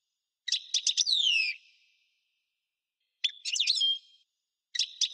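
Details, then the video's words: European goldfinch of the parva subspecies singing two short phrases. Each opens with quick high ticks and ends in a bright, sliding, liquid whistle, with pauses of about two seconds between phrases and a third phrase starting at the end. "Singing goldfinch - Chant chardonneret parva"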